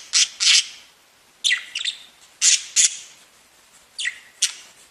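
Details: Budgerigars singing and tweeting, in chatter played as company for pet birds: short, harsh, buzzy chirps and squawks in separate bursts. Some notes slide downward. About ten notes come over five seconds, with brief quiet gaps between them.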